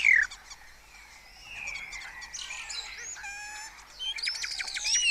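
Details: Early-morning starlings at a colony in Cabañeros National Park, Spain, rivalling with imitated songs; a short whistle, a soft warbling chorus, a steady held tone, then rapid high chattering and sliding whistles.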